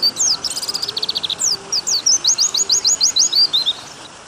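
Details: Pleci white-eye training song with water sounds: a fast trill of high, thin notes, then a run of rising slurred whistles repeated about three per second, over a constant soft hiss.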